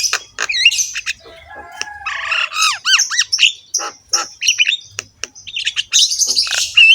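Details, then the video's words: Javan myna (jalak kebo) singing a rough-voiced, varied song with a full rich repertoire, used as a master recording to prompt other mynas to sing; harsh squawks mixed with whistled rising and falling notes and clicks. "BURUNG JALAK KEBO GACOR SUARA KASAR, MANGGUT-MANGGUT FULL ISIAN MEWAH"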